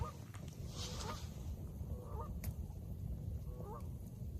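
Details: Canada geese heard from an island on 29 March during coastal bird nesting time, probably two birds; distant nasal honks repeated about every second and a half, under heavy low wind and water rumble.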